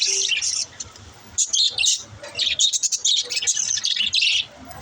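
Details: Budgerigars chirping to encourage lonely budgies to chirp: bursts of high, scratchy chatter and rapid twittering notes, broken by short quiet gaps, with a faint low hum underneath.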